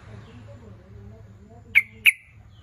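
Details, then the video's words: Sooty-headed bulbul lure call for drawing rivals: a pair of abrupt, sharp 'cuk' notes in quick succession after a quiet start with faint murmuring background. "Cruk..cuk..cuk TRUCUKAN lain pasti nyaut.."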